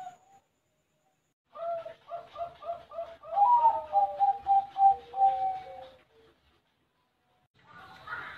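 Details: Bangkok-type zebra dove kept at a bird farm in Buleleng, Bali, Indonesia: a run of short bubbling coos leads into a rapid, even trill of staccato notes, then fades to quiet.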